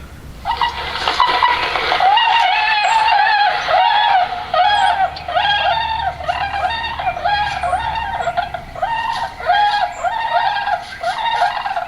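Tundra swans in a flock give mellow, high, bugling whoops, about one a second, overlapping into a steady clamor with no other sounds.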